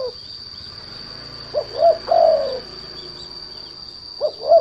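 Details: Derkuku lure sound played to provoke other turtledoves to sing: one hoarse three-part coo with a drawn-out last note, then the start of another, faint against a continuous high-pitched whine and background hum.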